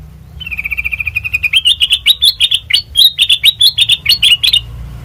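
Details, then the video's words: Sooty-headed bulbul, used as a lure for training birds, opens with a fast, even trill of soft notes that builds into louder, sharp, chattering chirps repeated several times a second for about four seconds. "Suara Burung Kutilang Mas Sanget Merdu,COCOK BUAT PANCINGAN MASTERAN"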